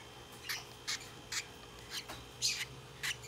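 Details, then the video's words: A hand-tame Turquoise-rumped lovebird chick, December 16, 2021, gives about seven short, harsh, high chirps, one roughly every half second, over a faint steady hum. "ルリコシボタンインコ ヒナ"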